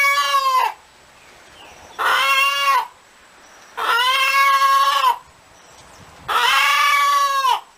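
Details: Chicken calling with four loud, strained, drawn-out squawks, each about a second long, repeated every two seconds with quiet gaps between.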